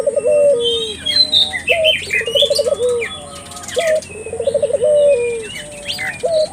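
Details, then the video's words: Turtle dove calling to set off local doves: low, wavering coos running into fast bubbling trills and a held, falling note, heard twice, over a background of bright twittering birds. "suara burung puter gacor,merangsang buru puter lokal ikut gacor"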